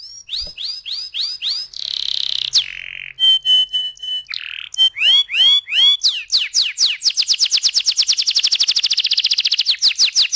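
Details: Canary song used as a lure to get other canaries singing and rolling: fast repeated upward-curving whistled notes, a buzzy trill, then a long rapid roll of quick repeated notes near the end.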